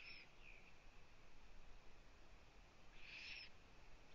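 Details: At a Latvian nest-camera site on 1 June 2017, mid-afternoon, a female Eurasian eagle-owl visits her owlets; one loud breathy hissing screech lasting half a second stands out near the end, with a fainter one at the start over steady background noise.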